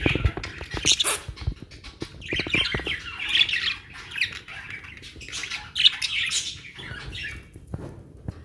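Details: Caged budgerigars, Australian parrots kept in Pakistan, chattering in a busy flock: overlapping squawky warbles and sharp chirps in bursts, with clicks and handling noise at the start.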